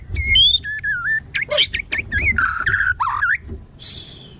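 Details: White-rumped shama singing varied clear whistles, rising and falling sweeps and warbled phrases in quick succession over a low rumble of traffic and background noise.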